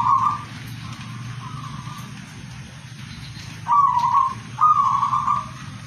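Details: Zebra dove cooing: steady, tonal, mid-pitched coo notes in long held phrases, a couple of louder bursts near the end, over a constant low rumble like traffic.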